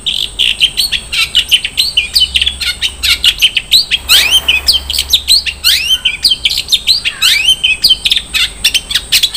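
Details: Long-tailed shrike with an 'isian mewah' song, a long, dense stream of varied chirps, rising squeaky notes and fast trilled phrases. It is nearly continuous, with a brief noisy rush near the middle.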